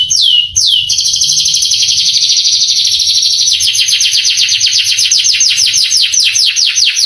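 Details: Canary masteran song meant to rouse young canaries to respond and sing: two sharp descending whistled notes, then a long, loud, rapid trill that changes into repeated downward-sweeping notes, with only faint low background noise.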